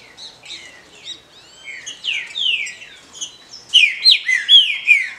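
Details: Captive female green-winged saltator producing calls that stimulate males: soft chirps building into long descending slurs, then a closing series of loud rapid chirps.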